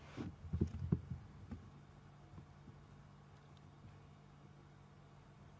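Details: Low rumbling thumps and knocks in the first second and a half, then a faint steady low hum with no animal calls.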